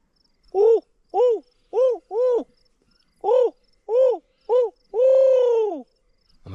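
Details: An owl on a homestead in summer gives eight resonant, arching hoots about half a second apart, the last drawn out and falling away. It hooted spontaneously nearby, and nothing else is heard.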